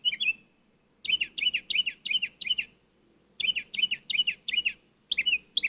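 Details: Nightingale singing in bursts: after one opening note, phrases of rapid, bright repeated notes in clusters of about five, separated by short silences.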